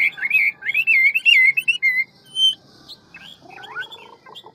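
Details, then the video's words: Hwamei, a large 'ngũ trường' bird, singing in varied forest style: a fast string of loud warbled whistles and one high pure note, then quieter lower rippling phrases. "Họa mi ngũ trường giọng rừng mau mỏ nhiều giọng"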